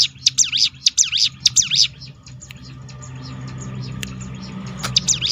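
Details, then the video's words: Hill prinia 'tembakan' roll, used to stir other birds to sing. A short burst of high, dipping chip notes opens, then fades into a low background rumble with a few faint notes. "roll tembakan ciblek gunung memancing bunyi burung lain"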